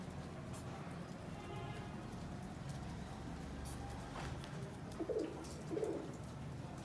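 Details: Pigeon cooing: two short, soft, low coos close together near the end, after several seconds of steady low rumble and hiss with faint scattered clicks.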